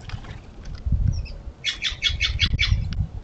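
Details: Western bluebird at a feeder, shared with American goldfinches: a quick burst of about seven harsh, chattering notes in rapid series after a few faint ticks, over low rumbling background noise.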